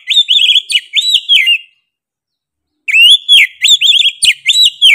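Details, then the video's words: Kacer, the Oriental magpie-robin, in full 'gacor' song: rapid chains of looping whistled notes with sharp upward sweeps, a second-long silence, then another energetic burst of bright repeated whistles. "KACER GACOR NGOTOT PEDES SUARA NYA GA DA AMPOON"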